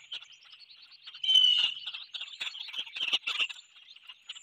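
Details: A large flock of cedar waxwings in the treetops of Skidaway Island, Georgia, on a February 9, 2023 morning, gives a steady chorus of thin, high, buzzy trills overlapping continuously, with a few soft thumps and rustles.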